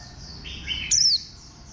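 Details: A single loud, thin warbling white-eye note drops steeply in pitch. A bird with a bantam-like posture, heard against faint high twittering and a softer warble just before it.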